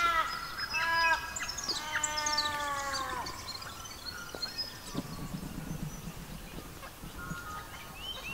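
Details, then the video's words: Australian magpie amid a forest dawn chorus. A sequence of clear, descending, harmonic fluted notes carols through the first three seconds, followed by quieter scattered calls and low rustling. "Australian forest bird songs with Magpies"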